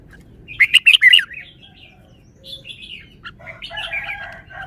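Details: Red-whiskered bulbul showing good song style: a loud quick run of four or five sharp notes, then softer warbling phrases and a brief chattering close.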